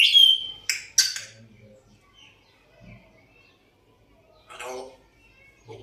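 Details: African grey parrot whistling and trying to talk: opens with a loud, clear high whistle, followed by two sharp raspy bursts, then quiet gaps and a soft, speech-like murmur near the end.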